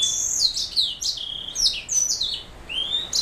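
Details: Black throat mule, a canary hybrid, singing a rapid high-pitched warble of sweeping whistled notes and short trills, with bright rising and falling phrases delivered continuously and no other sounds.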